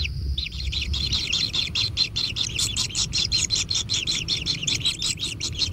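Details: Kingfisher nestlings fed at a natural nest beg with a buzzy, rasping series of rapid pulsed notes, roughly three per second, becoming denser and harsher, over faint low rumble.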